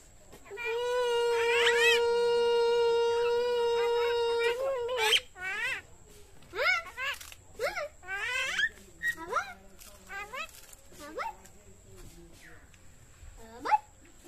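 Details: A talking common myna, its age given as either 6–7 months or 9 years, holds one steady, drawn-out tone for about four seconds, then breaks into squeaky chirps, rising whistles and speech-like notes.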